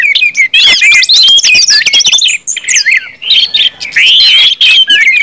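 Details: Orange-headed thrush in ngeplong song, used as a lure to get other thrushes singing. Continuous rich, varied whistling with rapid twittered runs, rising and falling slurs and sharp chirps, almost without pause.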